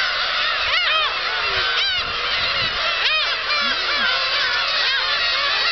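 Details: Black-tailed gulls at Kabushima, Japan, 13 March 2016, flock taking off; many overlapping cat-like mewing calls, arched and falling, repeated rapidly by numerous birds over steady wind-like background.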